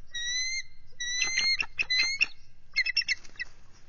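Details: Whistled bald eagle cries during a nest defence against an adult intruder, February 18, 2023. Two long, thin rising whistles give way to rapid staccato chattering pips, then a second burst of quick harsh chips.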